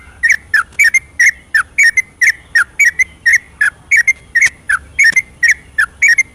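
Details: Vigorous nighttime ropelan song of a yellow-vented bulbul, meant to encourage quiet birds to sing. Steady stream of short, liquid whistled notes, some dipping, some rising, repeated about once a second in couplets.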